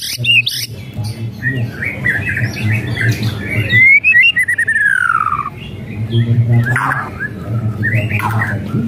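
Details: White-rumped shama song with rattles, played to stir a lazy bird: scratchy chattering notes, a long clear descending whistle, then more harsh crackles over a steady low hum.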